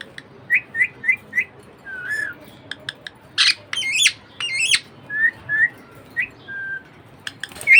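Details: Pet budgerigar calling: a run of four quick rising chirps, then short warbles, buzzy squawks and sharply bending whistled notes, spaced in bursts about half a second apart over a low background hum.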